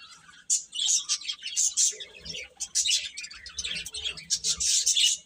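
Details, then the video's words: Young domestic chicks calling: quiet start, then sharp high peeps in clustered bursts, several birds overlapping, with faint low rustling underneath. "Cute Chicks Chirping Sounds"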